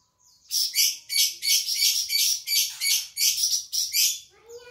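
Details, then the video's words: Flamboyan bird, an insect-eating songbird of Sumatra kept as a tutor for other songbirds, singing vigorously: a string of about eight loud, harsh, high chirpy bursts, each under half a second, in quick even rhythm, then a brief lower note. "burung flamboyan gacor"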